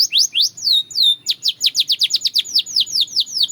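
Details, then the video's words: Belgian canary singing for a training routine: rapid rising and falling whistled syllables, first a few slow sweeping notes, then fast repeated trills of steep downward slurs. "The Melody That Turns Any Canary Into a Singing Star!"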